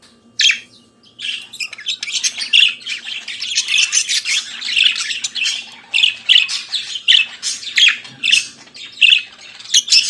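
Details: Kept budgerigar singing in the morning, a long continuous warble of scratchy chirps, clicks and squawky notes in rapid succession.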